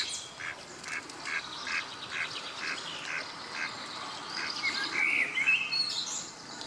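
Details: Mallard drake, paired with a female, chattering to her in courtship: quick, soft, raspy notes, several per second, then a few thin higher squeaks, with light background noise.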